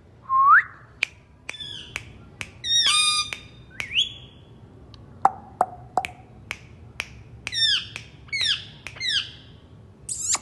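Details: Talking pet ringneck parrot makes scattered sharp clicks mixed with short downslurred squawks and a few rising whistled notes, irregular and fairly quiet, over faint low background hum.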